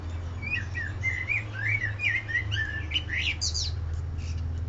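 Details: A male songbird sings a run of quick whistled phrases that sound alike at first, then ends with higher, varied tones and tunes, over a steady low hum.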